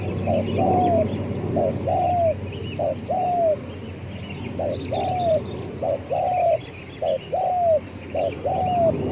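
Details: Tireless spotted dove, cooing for two hours and fit for luring: a long run of regular phrases, each a clipped coo then a falling slurred note, about seven repetitions with background hum and faint high chatter.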